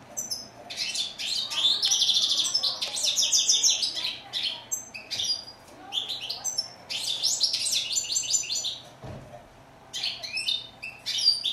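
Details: European goldfinch, called chardonneret in French and steyla in Morocco, singing a fast, tinkling, twittering song of bright high notes in bursts with brief pauses.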